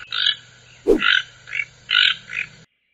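Toucan giving five harsh, croaking notes at about two per second, with a single dull knock partway through.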